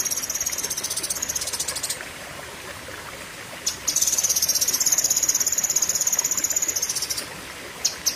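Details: Cucak kinoi delivering long, buzzy, very high trills lasting several seconds each. The trills are broken by a short pause and end with a few clipped notes.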